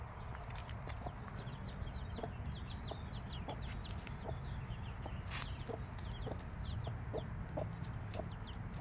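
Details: Five-day-old chicks with their mother hen: a steady stream of short, high, downward-sliding peeps repeated many times a second, under low soft clucks from the hen spaced roughly every half second, over a constant low hum.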